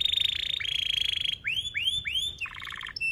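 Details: Singing canary, used as a tutor lure for juvenile canaries: a fast, rattling, buzzy roll for over a second, then several loud upward-arching whistled swoops and a stuttering low trill ending in a clear high note.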